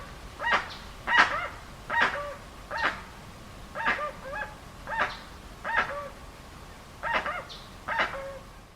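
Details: A series of about eleven coarse, barking honks from a dusky-legged guan at irregular intervals of under a second, several finishing with a brief dropping tonal tail, with faint background hiss.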